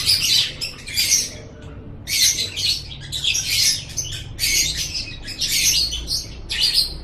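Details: Lovebird tutor recording: harsh, high, scratchy bursts of chatter about a second long, separated by brief gaps, repeating roughly once per second.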